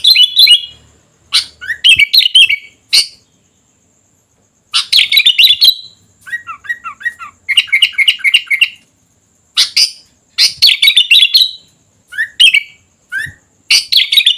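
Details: Sooty-headed bulbul singing energetically, bursts of chattering notes mixed with short rising whistles and fast twittered runs, broken by pauses of one to two seconds; a faint steady high hiss sits behind it.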